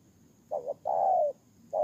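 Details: Spotted dove serving as a ground decoy in Tu Mơ Rông, Kon Tum, Vietnam, recorded 23 September 2018; a double-humped short coo, a long smooth falling coo, then the next phrase starting.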